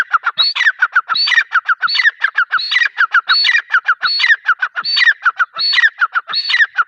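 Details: Female grey francolin calling steadily: loud, repeated phrases that pair a high rising-then-falling note with clusters of short clipped notes, cycling about every 0.8 seconds with no other sounds.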